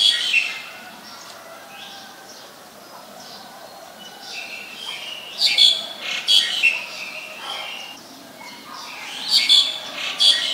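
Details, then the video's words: Black-collared starling recorded in Ubon Ratchathani, Thailand, 2 January 2020, giving bursts of rasping, screechy squawks in clusters separated by quieter pauses of a few seconds. "นกกิ้งโครงคอดำ Black-collared Starling"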